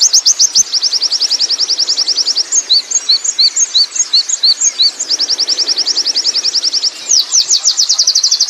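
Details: Oriental white-eye from the wild singing 'ngerol': a sustained high rolling trill of rapid, even notes, a middle stretch of slower separate slurred chirps, and a return to fast continuous trilling.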